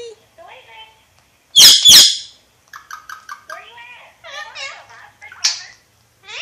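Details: Alexandrine parakeet talking: two loud harsh squawks, then quieter quick chattering, clicking notes and short speech-like warbles in a small indoor space.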